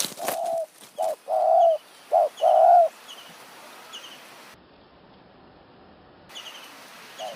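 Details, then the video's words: Spotted dove calling during decoy luring in high mountain forest near Kanchanaburi, Thailand: a phrase of low, hollow coos, two short notes followed by longer drawn-out ones, over about three seconds, with faint high chirps of other birds behind. "ต่อนกเขาใหญ่ป่าสูง เมืองกาญ | หมายเสียงเล็ก คารมจัดจ้าน"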